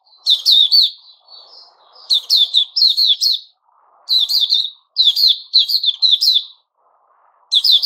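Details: White-crowned shama in moult with fresh feathers, 6 September 2021: repeated bursts of lively chattering, whistled notes in tight clusters, broken by short gaps, with a faint low rumble in the background between phrases.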